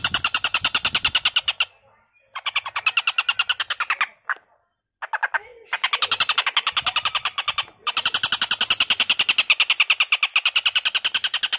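Stork-billed Kingfisher giving a harsh, grating cackle of rapid pulses, about ten a second, in bursts of several seconds separated by brief pauses.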